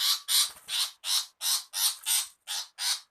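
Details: Female long-tailed shrike screaming: harsh, rasping, broadband bursts repeated roughly three times a second in a steady chattering series, used as a bird-catching lure.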